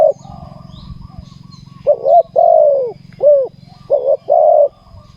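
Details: Cooing of a spotted dove at a ground trapping site: a quiet start, then hollow, paired short coos and long, arched, descending notes, with a low steady hum beneath.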